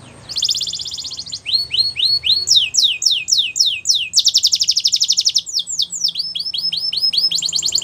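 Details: Singing Belgian canary delivering a buzzy trill, a run of rising slurred whistles, fast descending sweeps, another rolling trill and repeated upward notes, bright and continuous.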